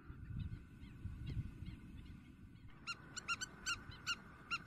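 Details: Intense calling of a Spur-winged lapwing, Greece, April 2023. After a quieter start with faint notes, loud clipped metallic 'kik' notes begin and repeat quickly and somewhat unevenly, over a continuous background hum.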